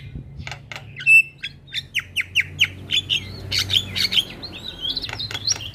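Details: Black-winged myna song played to prompt a reluctant bird to sing: a run of short sharp chips and descending whistles repeated several times a second, ending in harsher mixed notes.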